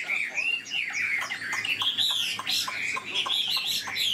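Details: Old wild-caught Chinese hwamei kept in a cage, singing in its rich, fast-delivered voice: rapid run of loud whistled and slurred notes, rising and falling, with quick chattering bursts packed tightly together.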